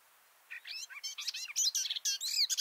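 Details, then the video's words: Garden warbler singing just above microphones under a bush: a two-second burst of quick, rich, babbling warbled notes building in loudness, with a faint hiss behind. "This garden warbler song (Silvia borin) sounds great!"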